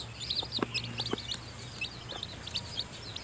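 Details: A quieter stretch from a nest of newly hatched chicken chicks fed by the mother hen: soft, thin peeps run throughout, broken by a few short knocks and taps.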